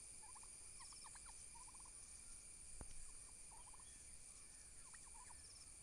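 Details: Domestic turkey toms fighting violently for dominance give quick, rattling gobbles in short bursts, several in a few seconds, over a steady high-pitched hiss or insect drone.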